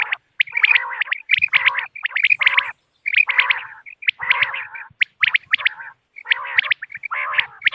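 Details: A hunting lure of common quail for moonlit nights: dense bursts of sharp, repeated notes over nasal, rasping phrases. The bursts come in irregular groups about a second apart, separated by brief pauses.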